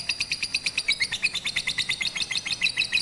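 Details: Lovebird, Batman variety, in rooftop song training using a master recording, 18 April 2021; brisk run of bright chirps, some dipping lower in pitch, repeated steadily and quickly.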